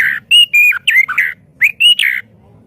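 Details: White-rumped shama song used as master audio for training birds: loud whistled phrases with rising and falling slurs, several bright notes held briefly, given in two bursts with a short pause.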